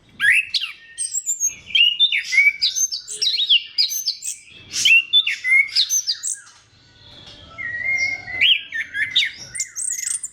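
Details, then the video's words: Orange-headed thrush song used to stimulate other thrushes, a rich mix of whistles, slurred rising notes and chattering bursts, a brief pause midway, then drawn-out whistles and quick trills. "KICAUAN SEBENING KRISTAL ANIS KEMBANG GACOR PANCINGAN MANJUR"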